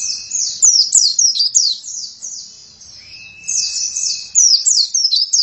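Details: Oriental white-eye in energetic song: fast sequences of high, sharp descending chirps in two loud bursts with a softer stretch between. A thin steady whistle is faintly heard at times.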